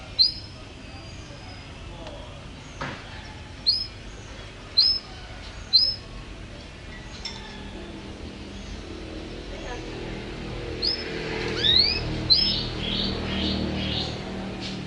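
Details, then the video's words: Domestic canary (kenari) singing a 2020 champion-style song used as a master recording for training caged birds at home: sharp rising-falling whistled notes about once a second, then a quick run of bright, repeated notes near the end over a soft background hiss. "Suara KENARI Juara Gacor terbaru"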